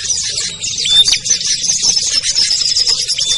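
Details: Brief stretch of a small-bird lure sound used to attract ciblek, kutilang, trucuk, sogon and perenjak: rapid high twitters packed together, with a few sharp whistled notes.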